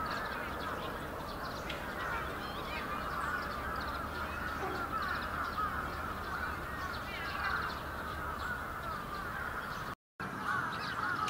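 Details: Bramblings in a large winter flock, Yoyogi Park, Japan, February 2019, keep up a thick, continuous chatter of overlapping calls, interrupted by a brief total silence near the end before the chorus resumes.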